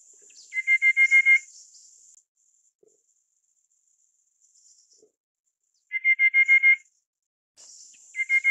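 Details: Rufous-capped Babbler (Stachyris ruficeps praecognita, Taiwan endemic subspecies) giving quick runs of six or seven even, piping notes, repeated every five seconds or so, over a thin high insect hiss.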